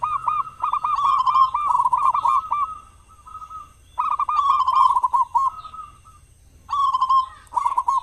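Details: Loud local zebra dove whose song serves as a lure to prompt other doves to sing, morning and evening; three bursts of rapid rolling coos, each lasting one to three seconds, separated by short silences.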